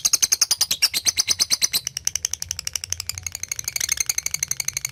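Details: Lovebird kept for song training, calling toward a rival to draw out long trilling; rapid, high, sharp chirps repeated densely for five seconds, slightly slowing and fading after the first two seconds, in a small room.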